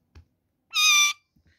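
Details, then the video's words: Indian ringneck parakeet giving a single loud, harsh squawk, about half a second long and rich in overtones, in a quiet room, with faint soft human sounds before and after. "Mithu Beautiful indian Parakeet Red-necked Miya Mitho Talking"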